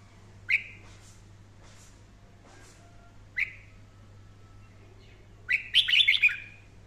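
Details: Red-whiskered bulbul singing fiercely for daily voice training: two separate sharp whistled upslurred notes a few seconds apart, then a quick run of bright warbled whistles, over a steady low hum.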